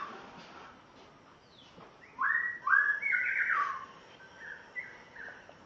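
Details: Spotted morning-thrush from Tanzania on its first day at a new home: a short burst of rich, fluty whistled phrases in the middle, loud slurred notes followed by softer descending whistles against a quiet background.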